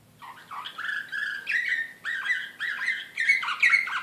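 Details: Excited canary of the Serbian slavujar type, Belgrade 2016, singing drawn-out whistled notes that dip and rise, each phrase repeated about twice a second, with a quiet hum underneath.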